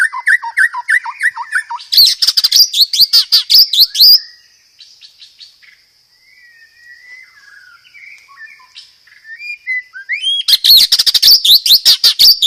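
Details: White-rumped shama song with rapid rolling, burst-like phrases: a run of falling whistled notes, loud fast chattering rolls, a quiet stretch of soft warbled notes, then another loud rapid roll.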